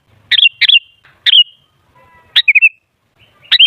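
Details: Sooty-headed bulbul as a lure to make other bulbuls sing actively: lively, warbling clusters of sharp, rising and falling whistled notes in quick bursts, with a faint low hum at the start.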